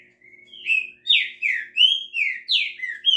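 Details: Green-winged saltator singing a lively run of rich whistled phrases, each note sliding down or swooping up, delivered in quick succession about every third of a second with short pauses, clean and close.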